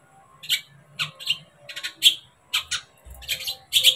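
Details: Long-tailed shrike singing, used to stir a kept bird into agitation and song: short harsh chattering bursts and squeaky notes, spaced irregularly about every half second, in a quiet indoor setting.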